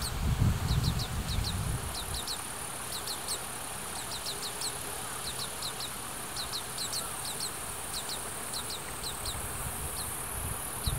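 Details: Oriental greenfinch fledglings in Hiratsuka, Kanagawa, Japan, chase their parents and beg for food with thin, high, rapid notes in quick bursts, over a low rumble of wind noise on the built-in microphone.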